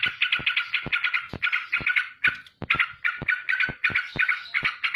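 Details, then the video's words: Straw-headed bulbul in rapid nonstop 'ropel' singing while flapping its wings: dense stuttering run of mid-pitched chattering notes, broken by sharp dry clicks every fraction of a second and a few brief pauses. "BURUNG TRUCUUUK Lagi ROPEL dan KIBASINN sayap!!!"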